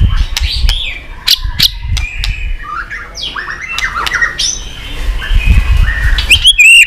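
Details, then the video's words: White-rumped shama, stirred up, clicking and flicking its tail, singing in many voices: sharp clicks and whistled, sliding phrases over a low rumbling background. "Chòe Lửa tạch đập đuôi kích lửa cực sung. kích chòe Lửa lên lửa sổ giọng.chòe Lửa hót nhiều giọng"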